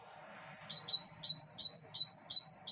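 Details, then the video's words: Chirping song from birds on a balcony, a regular sequence of sharp, very high tweets in alternating pairs, about ten notes in two seconds, with a soft background hum. "Пение птиц на балконе"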